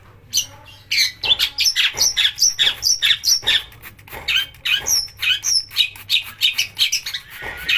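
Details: Long-tailed shrike song used as a lure to provoke singing, in a mastered recording with harsh bursts: a fast run of sharp, scratchy chirps and short whistled notes, repeated about four times a second without pause.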